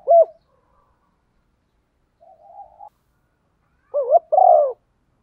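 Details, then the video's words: Lure spotted dove in the Vietnamese 'thổ' song style, kept to provoke wild doves into cooing and contesting; a single short coo, a quiet grating murmur, then a paired rising-falling coo phrase amid silence. "cu gáy giọng thổ pha thúc đấu dút chim bổi nhanh gáy, và về cội nhanh hơn"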